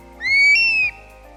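A single clear, wailing whistle from a Stone-curlew lasts under a second. It rises, then steps up to a higher note that slowly slides down. A faint low hum sits underneath.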